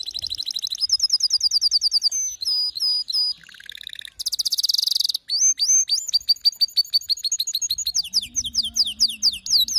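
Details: Lively male canary song of fast repeated note series, a harsh loud burst, then strings of clear upswept whistles in steady rhythm.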